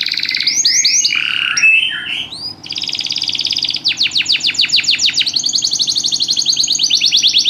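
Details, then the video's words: Canary singing a varied rhythmic song: mixed chirps and slurs, a buzzy roll, then a run of sharp descending notes and a fast even trill. "o canário canta num ritmo espetacular!!"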